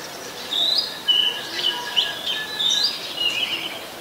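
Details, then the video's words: Singing Oriental magpie-robin, Ubon Ratchathani, Thailand, late December 2020: high sweet whistled notes and brief warbles strung together without pause, with soft rural background hiss. "นกกางเขนบ้าน Oriental Magpie Robin (singing)"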